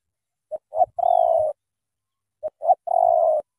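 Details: Spotted dove from Cà Mau, Vietnam, cooing two phrases about two seconds apart, each built from two brief clipped notes leading into a long, even, mellow coo.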